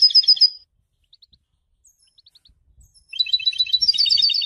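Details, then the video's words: European goldfinch opening with a rapid twittered phrase, then faint soft notes, then breaking into a long, bright, tinkling run of high rolling notes with buzzy accents. "super goldfinch singing"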